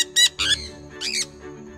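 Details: Sun conures at the North Carolina Zoo give harsh, grating screeches in short bursts over soft background music.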